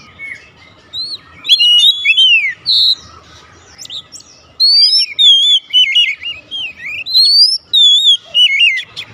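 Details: Oriental magpie-robin giving 'nembak' song: sharp whistled notes and sweeping slurs, a silent stretch in the middle, then a long run of warbling, bending whistles.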